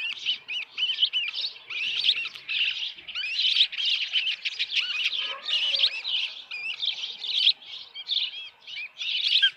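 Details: Dunrovin Ranch osprey nest, evening of 10 June 2018, headless fish present: continuous, chattering high chirps and whistles, overlapping in dense, uneven bursts.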